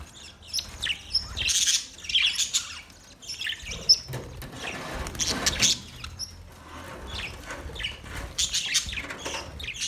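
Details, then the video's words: Chattering budgies in a parrot colony make scratchy, squeaky chirps and warbling phrases in uneven bursts, with a faint low hum behind. "Budgies Parrot colony Parrot colony setup Parrot Talking Parrot video Parrot chirping sound"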